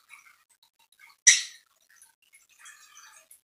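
A red-rumped parrot gives one sharp, harsh, high screech, followed by a second of soft, twittering chatter.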